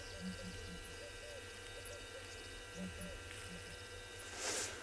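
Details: A southern ground hornbill perched on a mound on an afternoon drive in a South African game reserve, 3 November 2020, gives deep, muffled booming hoots in groups of three or four, repeated twice; hum and brief rustle.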